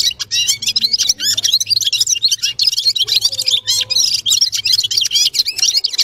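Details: Red-fronted serin delivering dense, unbroken high-pitched song: quick sweeping chirps and buzzy trills tumbling together, with a faint low hum beneath.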